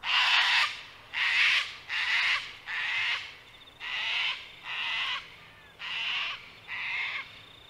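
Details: Sulphur-crested cockatoos at Mt Coot-tha in Brisbane, Queensland, recorded on a Canon R7 on 6 November 2022: eight loud, harsh, raspy screeches, each about half a second long, repeated roughly once a second.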